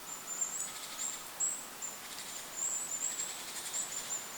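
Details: Goldcrest calling in a forest above a lake: very high, thin, short notes in rapid clustered runs, with soft wind noise and faint rustling beneath.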